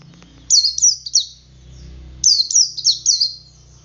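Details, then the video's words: Male Oriental white-eye singing ngalas to lure other white-eyes into song: two lively bursts of four high, thin, downslurred notes in quick succession, over a low rumbling background. "Suara Burung Pleci Jantan Ngalas Memancing Pleci Lain Ikut Ngalas"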